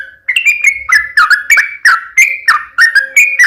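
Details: Sooty-headed bulbul singing a lively sequence of slurred whistled notes, some rising and some falling, given about three per second.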